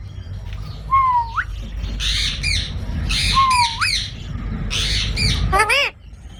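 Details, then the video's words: Parrot calling in a mix of upward-hooking whistles and rasping, noisy squawks, ending with a quick run of stacked, chattering squeaks, over a constant low background drone. "Funny Parrot Sound Videos | Parrot Sounds Videos Compilation"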